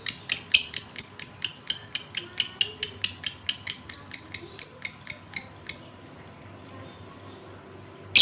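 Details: Lovebird male in breeding condition calling the female: rapid run of piercing high chirps, around two per second for nearly six seconds, then quiet until a final note.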